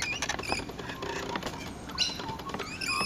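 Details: Rainbow lorikeet chattering in quick, rasping high notes with a louder squawk near the two-second mark, over a continuous murmur of other birds' chirps.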